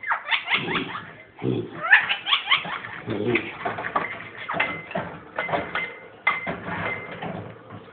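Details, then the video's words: Pet ringneck parrot kept indoors gives a rapid laughing chatter of quick, harsh repeated notes, with brief steady whistled tones between bursts and low human voice sounds underneath. "ringneck parrot laughing crazy"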